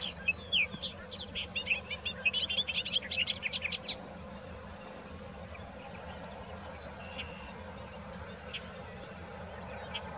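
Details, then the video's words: Male Bobolink in Ontario, preening and singing on a grass tussock, gives a rapid, bubbling jumble of tinkling, metallic notes for about four seconds, then only faint background noise and a few distant chirps. "Bobolink Song"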